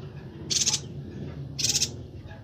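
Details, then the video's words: Bornean yuhina giving two brief, high, chattering bursts about a second apart, over a steady low background hum; a recording used for tutoring songbirds. "Suara burung Perenjak Batu/Yuhina Kalimantan Gacor"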